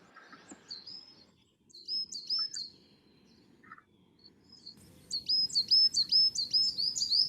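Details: A Coal Tit sings its simple, very high-pitched song of thin two-note phrases, repeated quickly and evenly and strongest near the end, with a faint low hum and a few softer calls. The species often moves in family parties.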